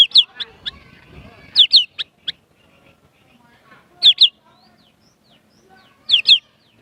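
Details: Kept white-rumped shama singing prinia-style imitations: pairs of sharp, high down-slurred notes repeated about every two seconds, with a few single clipped chirps between them and near-silence in the gaps.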